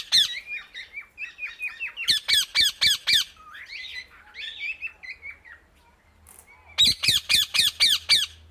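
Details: Loud calls of an Indian ringneck parakeet to other birds: rapid series of strident, rasping screeches about four per second. Quieter chattering notes come between volleys, with a low hum underneath.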